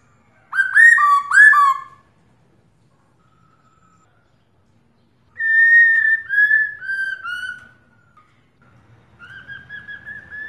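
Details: Female black-throated laughingthrush calling to stimulate a male to sing: a burst of rich, rising whistled notes, then a long silence, followed by a series of clear, falling whistles and softer whistled phrases at the end.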